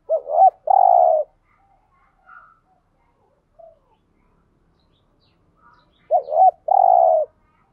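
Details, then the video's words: Spotted dove calling to stir up other doves: a quick wobbling coo followed by a drawn-out hollow note, the pair repeated about six seconds later, with faint soft notes in between. "Tiếng chim cu gáy đủ bài dùng kích bổi hiệu quả cao [ thúc gù . gáy gọi, đảo bài ]"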